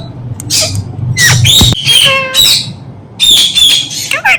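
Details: Talking Indian ringneck parrot kept as a pet, producing rapid harsh screeches mixed with harmonic, voice-like syllables in two dense bursts separated by a short pause, ending with a sharp descending note.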